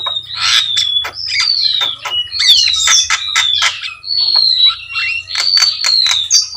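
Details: Jalak kebo, the Javan myna, in full energetic song with its own voice: clear sliding whistles, some rising and some falling, woven between sharp clicks and harsh crackling notes in a steady stream, with a low hum in the background.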